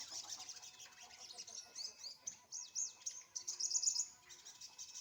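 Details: Sunbird basking in early sunlight, likely caged; high sweet twittering with fine squeaky slurs, building to a brighter burst near four seconds.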